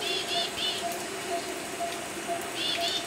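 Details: Elegant tit, endemic to the Philippines, giving quick, thin, high chirping notes in two short bursts, set against a steady hiss like rain and a faint lower tone.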